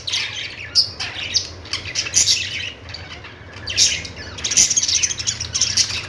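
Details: Budgie flock warbling: rasping squawks and thin chirps come in uneven bursts, louder near the start and again toward the end.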